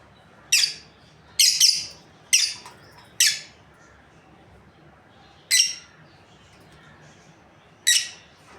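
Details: Harsh, shrill chirps from a breeding pair of lovebirds, four in a quick run then two more after pauses, each a sharp scratchy burst.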